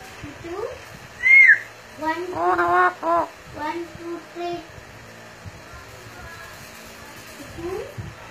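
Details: A talking pet Alexandrine parakeet gives a shrill, rising whistle, then a quick run of hoarse, speech-like syllables and a few clipped words ("Mito", "Go Nawaz go", "one, two, three") in a quiet room.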